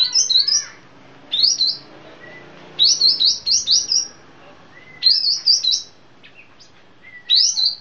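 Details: From Sumatra, a sooty-headed bulbul repeats brief, high-pitched warbled phrases roughly every one to two seconds, each a tight cluster of bright notes, interspersed with thin, soft whistles.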